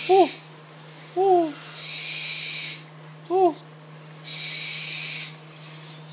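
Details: A captive, hand-reared Spix's screech owl chick begs for food with three short, squeaky, arched calls spaced a second or two apart, between breathy hissing bursts and a low steady hum.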